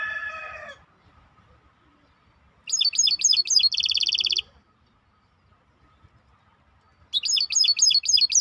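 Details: Maestro bird singing: a harsh low-pitched burst, then bright rapid trilled phrases with a sustained buzzy rattle, a pause, and a final fast high trill.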